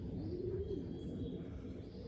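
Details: Racing pigeon cooing in the background at a loft while an owl also calls. A single soft, low coo rises and falls early on, over a steady low outdoor rumble.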